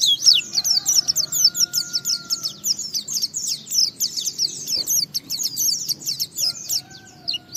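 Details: White-eye singing in the Indonesian gacor ngalas style, used as a lure to provoke other white-eyes into singing, delivers a rapid, continuous stream of high, thin twittering chirps, with a faint steady lower tone in the background.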